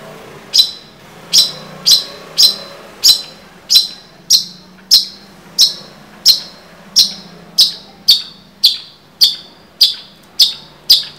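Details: Long-tailed shrike, a repeated singing bird used as a training recording for other songbirds: sharp high downward-sweeping notes repeated steadily about every 0.6 seconds, with a faint low hum underneath.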